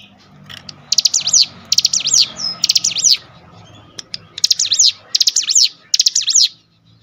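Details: Cinereous tit song used as a lure recording to provoke other tits into singing: bursts of quick clicking notes with high arched whistles, about six phrases each roughly half a second long, separated by short pauses.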